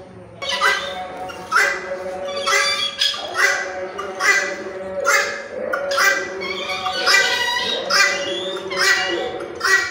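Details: Red-wattled lapwing calling with harsh, strident notes rich in overtones. They come roughly once a second in an uneven series over a steady low background hum.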